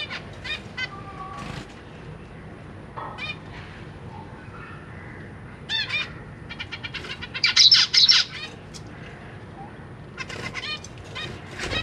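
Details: Zebra finch family with three juveniles and three newly hatched young being fed by their parents. Nasal, buzzy chirps come in quick irregular bursts, with a loud dense cluster near the end and faint wing flutters.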